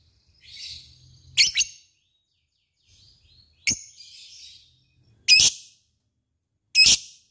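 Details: Lovebird giving ngetik calls: single loud, sharp, high clicking chirps spaced one to two seconds apart, some preceded by soft, scratchy twitters, with quiet gaps between.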